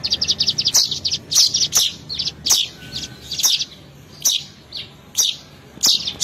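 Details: Lure call of a weaver for trapping birds: rapid, high, scratchy chatter at the start, then loud bright chirps every half second to second over steady background hiss and clicks.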